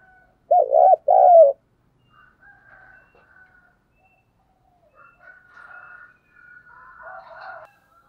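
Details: Spotted dove calling as a lure for morning trapping: a short pair of low, throbbing coos near the start, then only faint, scattered higher notes and chatter in the background.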